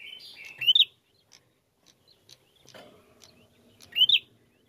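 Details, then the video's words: Singing Bar-winged prinia used as a lure: buzzy lower notes run into a sharp rising squeak, then quiet ticks, and a second bright up-slurred phrase follows about three seconds later. "Pancingan Prenjak Gacor Narung Mantap"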